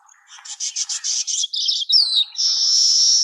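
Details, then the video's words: Singing baya weaver: a fast series of about eight pulsed, rattling notes, then a sliding squeaky twitter, finishing on a long, steady, high hissing buzz. "Baya weaver bird singing"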